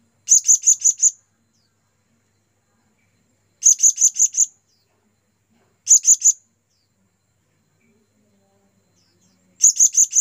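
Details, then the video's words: Lure call of a blue-crowned hanging parrot summoning companions: four short bursts of four or five shrill, very high chirps each, fired rapidly and spaced a couple of seconds apart over a quiet background. "Serindit Pikat Memanggil Kawan"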